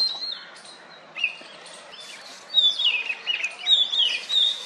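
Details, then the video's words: Courting oriental magpie-robin on a wooden stump calls out to females: a few soft high notes, then, after a pause, a loud run of clear whistles that rise and fall, some sliding downward. "Oriental Magpie-Robin poops while making mating calls!"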